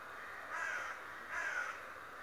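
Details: Raven described as talking and spying daily utters two hoarse, drawn-out caws close together, under a second apart, amid soft background hiss.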